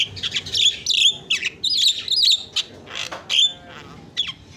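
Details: Harsh, chattering isian song of a Javan myna, used to tutor other birds: buzzy scratchy phrases mixed with squeaky whistled notes in irregular bursts.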